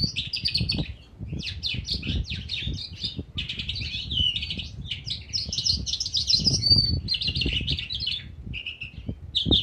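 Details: A calandra lark in an outdoor aviary in February 2019 pours out a fast, unbroken song of scratchy chirps, trills and bright whistled notes, set against low rumbling background noise.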